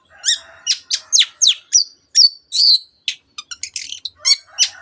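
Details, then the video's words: Long-tailed shrike in lively song used to provoke other birds into singing: a fast run of varied whistled slurs, sharp chirps and a drawn-out buzzy note, high-pitched and clear against silence. "cendet gacor teot teot jadikan burung anda cepat emosi dan ikut gacor"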